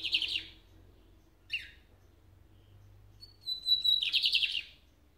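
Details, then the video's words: Lined seedeater, called the fastest of its kind: a buzzy trill ends one phrase, then a short rasping note. A clear high whistle leads into another fast, pulsing buzz, each phrase lasting about a second. "O Bigodinho mais rápido que você verá hoje!"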